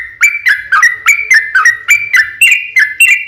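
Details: Long vigorous song of a yellow-vented bulbul used to provoke answers from other birds. Clear, bright whistled notes with quick upward flicks repeat about three times a second in an even, bouncing rhythm.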